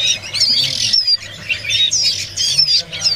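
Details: Young Bar-winged Prinia for sale at a bird-market kiosk in Jakarta in the morning, giving harsh, scratchy, high-pitched chattering calls in quick bursts about once a second, with a low background hum.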